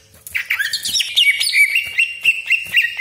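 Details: Greater green leafbird in rapid, varied song used to provoke rival leafbirds: a scratchy buzzy opening gives way to a sustained whistled line broken by quick repeated chips, about four per second.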